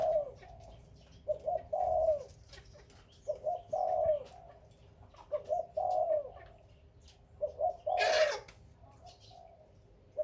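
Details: Captive breeding spotted dove giving a steady series of low, mellow coos. A brief lead note and a longer purring note repeat roughly every two seconds. A sharp broadband clatter interrupts near the eight-second mark.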